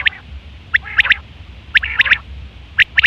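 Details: Quail call from September 2023, given for hunting and mating. Crisp three-note bursts come at roughly one-second intervals, each a clipped upward flick followed by two quick notes. Faint low background rumble.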